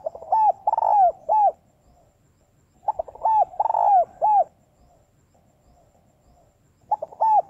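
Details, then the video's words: Female spotted dove cooing to stimulate males: three coo phrases about three seconds apart, each a quick stutter of short notes followed by drawn-out, arching hoarse coos, with quiet pauses between. "Cu gáy mái gáy gọi kích bổi nhanh nổi"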